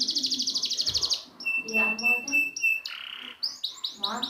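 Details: Canary song for training birds that won't sing: rapid high trill, then steady piping notes on one pitch, followed by a short slurred phrase and rising sweeps.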